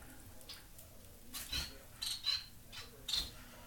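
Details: A pair of society finches, a white fawn pied male and a white chocolate pied female, settling into a new flight cage. Short, high chirping calls come in small clusters over a quiet room background.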